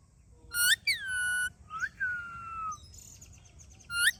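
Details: Rose-ringed (ringneck) parakeet talking: a few clear, harmonic whistled phrases, some rising then sliding down, like speech-mimicking chatter, with short pauses between and a quiet background.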